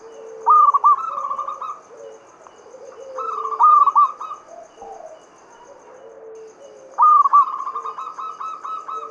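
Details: Local zebra dove from Java singing a Mataram-rhythm lure song to stimulate other doves: three stuttering phrases of bright, repeated cooing notes a few seconds apart over softer, lower coos.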